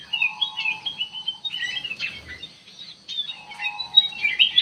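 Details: Sooty-headed bulbul lure song intended to provoke a reply; quieter chattering whistles and chirps, alongside a steady, faint tonal hum heard twice.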